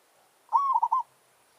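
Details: Single territorial challenge phrase from a village zebra dove decoy facing a wild forest bird: a smooth rising coo that breaks into three fast, rounded pulsed notes, clear and close.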